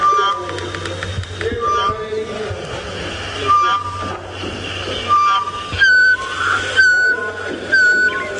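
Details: Tropical Boubou song played back on a sunrise drive at 7:15 AM, 20 October 2017, Djuma Game Reserve, Sabi Sand, South Africa: clear, pure, short bell-like whistled notes about a second apart, over a low hum and faint chatter.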